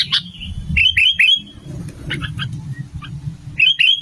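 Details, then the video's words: Sooty-headed bulbul used as a trapping lure: sharp bubbly notes, a trio of quick descending phrases, softer chirps in the middle, then another bright phrase at the end. "SUARA BURUNG KUTILANG GACOR 2025"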